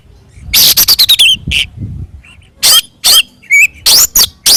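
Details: Oriental magpie-robin in fighting song used to provoke other birds, with rapid harsh rattling notes, a few soft low whistles, then loud sharp chirps and rising whistles spaced through the clip.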